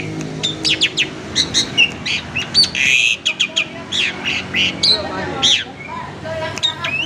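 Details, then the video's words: Asian pied starling in captivity singing lure song to draw others into singing: a jumble of short chirps, squeaky notes and a few harsh buzzes, delivered in uneven bursts. "Burung Jalak Suren Super Gacor, Pancingan Jalak Suren, Jalak Suren Bunyi Variasi"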